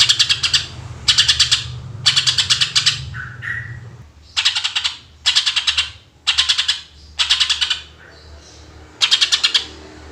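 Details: Greater green leafbird in full 'tembakan' shooting song, for use as a lure for other birds: about eight dense volleys of rapid, sharp, high notes roughly a second apart, with brief soft whistles between some of them. A low hum fades midway.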